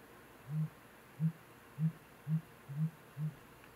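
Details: A displaying male Sooty Grouse (Dendragapus fuliginosus) on Mount Washington, Vancouver Island, BC, in May 2017, gives six deep, muffled hoots about half a second apart, very low and soft over a faint background hum.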